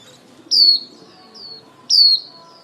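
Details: Female white-eye lure bird calling its flock, used for trapping; two loud high downward-gliding whistled notes about 1.4 seconds apart, with a softer note between them.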